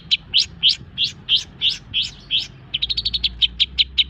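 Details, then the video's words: Long-tailed shrike, singing hard after its molt: rising, slurred whistled chirps repeated about three times a second, then switching to a quick run of short clipped notes and spaced sharp chips. "Masteran cendet bikin burung birahi dan emosi"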